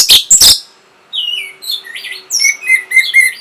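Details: Orange-headed thrush, known locally as punglor or anis merah, singing a song meant to stimulate breeding arousal and draw a reply. Two loud harsh bursts open, then after a short pause come varied high whistled and slurred phrases, some descending, in quick succession.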